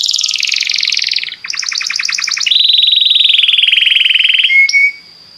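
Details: A Belgian canary sings to stimulate other canaries: a dense buzzy roll, a pulsing double-toned trill, then a long even rattling tour ending in a brief high whistle.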